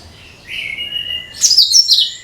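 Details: Cucak kinoi, used to draw in other birds, gives a clear sustained whistle and then a bright, rapid, high-pitched chattering flourish.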